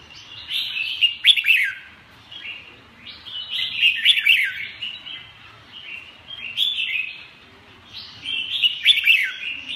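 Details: Red-whiskered bulbul repeating loud, bright, chattering song bursts about every two to three seconds, each ending in quick downward-slurred notes, with soft twitter in between.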